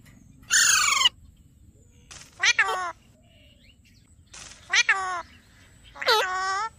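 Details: Talking Alexandrine parakeet: a harsh, broadband screech opens, then three bursts of nasal, word-like syllables roughly every two seconds, each with bending, falling-then-rising tones over a faint low hum.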